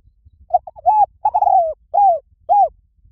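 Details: Spotted dove call used as a lure for doves, said to bring birds in quickly in any forest. A run of short, low coos leads into a longer drawn coo, then two separate falling coos about half a second apart.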